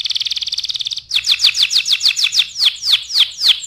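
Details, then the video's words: Canary singing hard to tutor other birds: a rapid, even high trill lasting a second, then slower, louder, broad downward-swooping notes about three per second. "SUARA KENARI GACOR AMPUH UNTUK MASTERAN"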